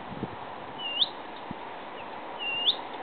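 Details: Blyth's reed warbler (Acrocephalus dumetorum) at Hedhult, Kristinehamn, Värmland, Sweden, on 25 June 2013 gives two clear, rising whistled notes about two seconds apart, high-pitched and brief, over a soft steady background hiss.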